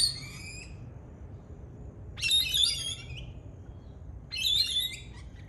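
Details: Australian lorikeet parrot screeching: three harsh, raspy bursts, each about half a second, spaced roughly two seconds apart, with quiet background between.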